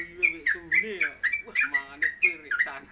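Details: Trucuk, or Sooty-headed Bulbul, in a cage singing a rapid 'konslet' style song suited for tutoring other birds. Bright clipped whistles follow in quick succession while human voices murmur in the background.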